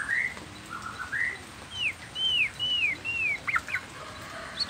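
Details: Nias noktah white-rumped shama singing. Clear arched whistles repeat one after another, each rising then falling, followed by quicker twisting notes, all over a constant noisy hiss.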